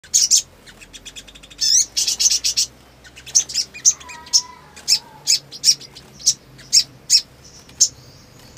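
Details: Black sunbird in breeding condition (birahi), singing in non-stop ngleper style: sharp, very high chirps in dense bursts, then single spaced ticks; a lower wavering whistle briefly runs mid-clip.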